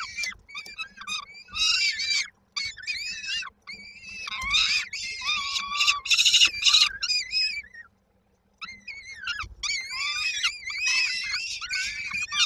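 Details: Several peregrine falcon chicks at a Koszalin nest, Poland, 19 May 2022, beg while awaiting the mother with food, giving rapid rasping, quavering screams in long overlapping bouts, broken by two short silences.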